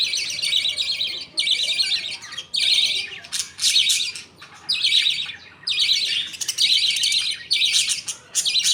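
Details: Captive budgerigars while a father feeds two young with millet paste and the mother watches; grating, hissy squawks come in uneven bursts, nearly one a second.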